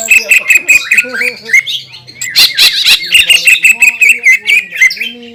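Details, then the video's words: Green leafbird lure song that makes other leafbirds agitated: clear high whistled notes repeated rapidly in rows, broken by a harsh scratchy burst midway, then the whistled series resumes. "PANCINGAN CUCAK IJO GACOR,SUARA NYA BIKIN BURUNG CUCAK IJO LAIN LANGSUNG EMOSI"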